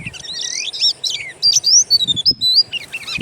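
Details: Oriental magpie-robin (kacer) wild-bird song serving as a lure for kept birds: a buzzy warble opening into long pure whistles that slide downward, then a brief chattering end.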